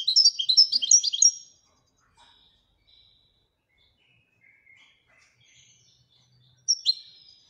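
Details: European goldfinch from Morocco performing Widania-style song: a dense burst of high twittering trills for over a second, then near silence with faint soft notes, and a final short bright phrase.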